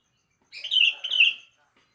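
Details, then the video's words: One bright, bubbly double phrase from a sooty-headed bulbul in the morning, two quick warbled notes lasting about a second, with quiet before and after. "Kicauan Burung kutilang Di Pagi Hari"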